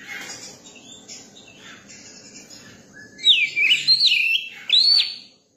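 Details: Young Oriental magpie-robin singing: three seconds of soft, scratchy warbling, then loud clear whistled phrases of slurred notes, rising and falling and looping, each under a second.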